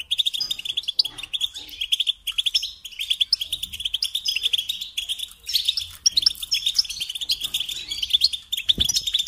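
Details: European goldfinch, song for training young birds to sing: an unbroken, lively twitter of rapid high notes with sharp chirps mixed in throughout.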